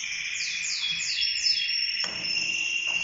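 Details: Song of a Mosaic canary in a yellow-orange breeding pair, female with four eggs in the nest; a run of quick descending sweeping notes, roughly four per second, over a sustained high tone, then a steady trill.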